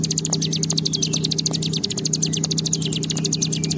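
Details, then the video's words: Bar-winged prinia giving its sustained ngebren panjang trill: a dense, high, rapidly repeated buzzing note stream without pause, with a low steady electrical-sounding hum behind it. "Ciblek Gunung Gacor Ngebren Panjang"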